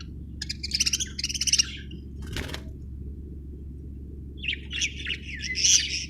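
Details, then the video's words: Budgerigar chirping in two bursts: a quick run of buzzy, chattering notes, a pause with a single click, then a warbled, wavering chatter. A low steady hum runs throughout. "budgie chirping sound"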